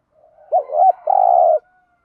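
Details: Spotted dove, male and female calls in the 'thổ đồng' voice for training decoy doves: one phrase of two short rising coos then a drawn-out steady low coo.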